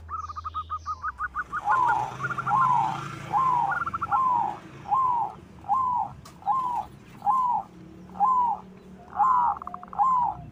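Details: White-plumaged zebra dove in full song, used to provoke other doves into singing; a fast rattling run opens, then evenly spaced, slurred coo phrases follow about every second over faint background noise.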